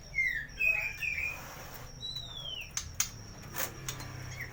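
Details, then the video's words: Full varied song of a white-rumped shama from a North Jakarta bird shop, used to coax silent birds into singing. It opens with bright whistled phrases, then a long, clear descending whistle, followed by sparse clicks against a constant high hum. "Murai batu full isian cocok buat pancingan burung bisu"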